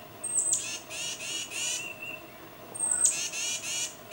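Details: Tufted titmouse calling to its mate, giving a thin high whistle that leads into three or four harsh buzzy notes. A steady lower whistled tone follows, then the same high-whistle-and-buzz pattern repeats.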